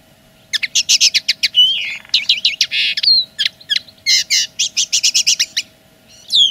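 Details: Linnet delivering its territorial song: rapid staccato twitters in fast series, interspersed with buzzy rattles and a few clear downslurred whistles, with a faint constant hum behind.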